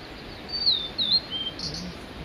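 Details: Clear high whistles from a male Blue-and-white Flycatcher at Mount Migita: three or four sliding, downward-slurred notes in about a second, then a short high flick, over quiet background.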